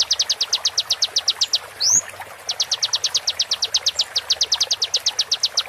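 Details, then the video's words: Konin giving sharp, rapid, high-pitched repeated notes in even bursts, interrupted by one quick swooping note, recorded for training songbirds; light background hiss throughout. "MASTERAN KONIN FULL ISIAN TEMBAKAN TAJAM"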